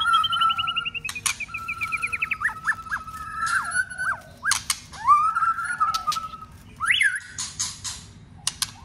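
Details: White-rumped shama roused for contest singing: a rapid descending trill, then a varied run of whistled notes, slurs and quick rattles, with repeated sharp clicks and a loud rising whistle near the end.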